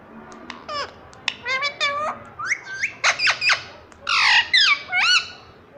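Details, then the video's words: Talking parrot mimicking speech: rapid high-pitched syllables with rich harmonics, some falling and some rising in pitch, grouped into short phrases with brief pauses, the last two syllables stronger and swooping upward. "ये तोता सब कुछ बोलता है || parrot talking everything"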